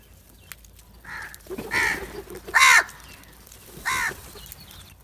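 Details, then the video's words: Crows calling loudly while eating together, giving four harsh, nasal caws roughly one second apart, the third loudest, over quiet background. "Calling And Crowing Loudly"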